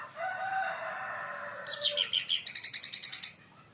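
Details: Leafbird singing in excitement, provoked by another bird: a drawn-out, low, wavering tone gives way to a rapid run of about a dozen sharp, high, evenly spaced chirps.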